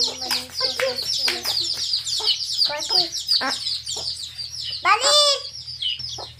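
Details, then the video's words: Several chicks with their hen out in a field, peeping constantly in shrill, rapid chirps, one longer louder cheep standing out near the end, and occasional low clucks. "Murgi Baby Chicks Chirping Sound"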